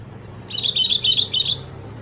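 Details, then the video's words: Sooty-headed bulbul singing: a quick run of about six short, bright chirping notes lasting about a second, each slightly slurred, over a faint steady hiss. "Suara burung Kutilang TOPCER merdu sekali"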